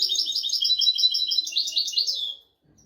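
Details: Royal-style European goldfinch song for training goldfinches and canaries: a steady, rapid string of high, tinkling notes, quickening into a bright trill and fading after about two and a half seconds.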